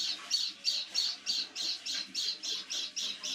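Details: Strange evening call of a caged white-eye indoors: a quick run of rasping high squawks, roughly three each second, evenly spaced, each note short and scratchy, with only faint background hum.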